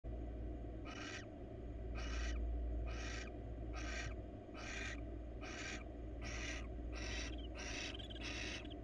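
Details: Wild female barn owl in a monitored nest box, calling while looking for attention. Harsh, hissing, broadband bursts, each about half a second long, repeat steadily roughly every 0.7 seconds over a constant low background hum.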